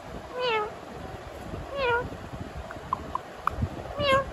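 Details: Ringneck parakeet in talking mood producing cat-like meows: three downward-sliding, harmonic miaows roughly one and a half seconds apart, with a few soft clicks and taps between them.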